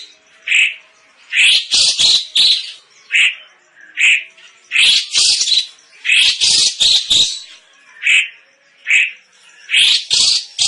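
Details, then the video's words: Cucak cungkok, a tutor bird for competition songbirds with a loud, dense voice, giving short whistled notes every second or so, broken by rapid, tumbling bursts of several bright notes; no other clear sounds. "Burung Cucak Cungkok JIIOOOOOSSSSS"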